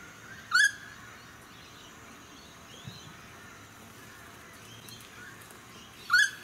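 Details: Noisy friarbird in a suburban area of the Sunshine Coast, Queensland, in May: two loud, harsh, ringing notes about five and a half seconds apart, with faint distant birdsong and suburban hum between them.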